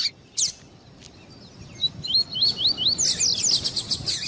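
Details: Double-collared seedeater, known locally as coleiro tuí-tuí, male and female calling to warm up a male bird. A run of quick, rising, whistled slurs repeats rapidly, followed by loud sharp chips and bursts.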